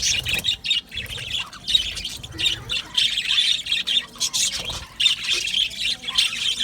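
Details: Aviary colony of budgerigars giving a steady wash of high chirps and harsher squawks, many birds calling at once in overlapping bursts.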